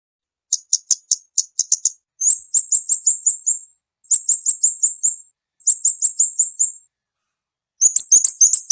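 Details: Kamade bird lure call: quick bursts of very high, sharp chirps, first as separate notes, then rapid strings of five to seven downslurred tweets with short pauses, ending in a dense chattering burst; no other sounds.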